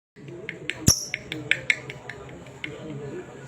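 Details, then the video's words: Lovebird giving sharp, high chirps at an uneven pace of about one a second, the long "ngekek" call, with one loud click and a steady high hiss behind. "Love birds gacor ngekek panjang konslet - Love Birds Sounds Ngekek"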